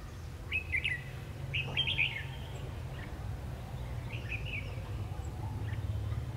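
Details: Fighting song of a red-whiskered bulbul, a countryside bird, at a trapping session on 3 January 2019. It gives clear chirpy warbled phrases, a longer flourish near two seconds and a softer burst later, over a steady low hum.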